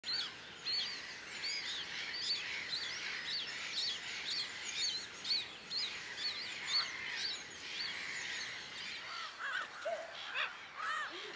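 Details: A dense chorus of Black-headed Gulls at Harchies marshes, Belgium, in April 2013: short, harsh, scratchy notes overlapping about twice a second, with a few lower, rasping kree-ar cries near the end.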